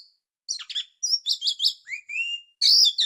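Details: Oriental magpie-robin sound used as a lure for trapping birds: quick high chirps and trills, then a short rising whistled slur, ending with a loud harsh burst.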